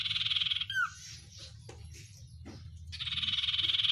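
Oriental white-eye giving a rapid, high buzzy trill in two long bursts, with a short swooping whistle and soft chips in the pause between.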